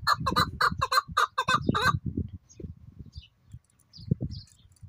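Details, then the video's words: Male desi chukar partridge in high spirits, good weather, giving about nine loud, harsh, harmonic chuck notes in a fast even series over two seconds, then falling quiet with low rumbling background noise. "Keklik Sesi Dasi Chakoor ki Kobsorat Awaz Chakoor Sound چکور مستی کرے ہوے دیسی چکور"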